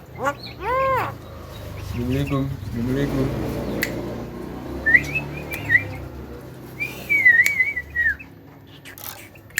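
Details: Javan myna, claimed to talk and to beat a hill myna in voice: a few arched squawky notes open, followed by muffled low murmuring, then wavering high whistles in two short bursts.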